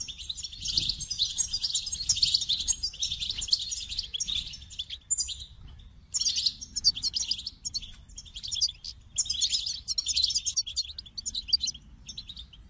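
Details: Goldfinch singing a long, fast twittering song of bright, high chirps and jingling notes. It pauses briefly near five and eight seconds, then resumes in dense bursts.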